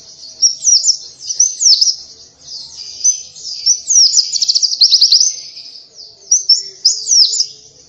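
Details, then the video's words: Oriental white-eye song used as a lure for other birds: a continuous high, lively chattering of warbled twitters and quick trills, with fast rattling bursts around the middle and short pauses between phrases. "Burung Pleci cuitannya gacorr cocok untuk pancingan!!"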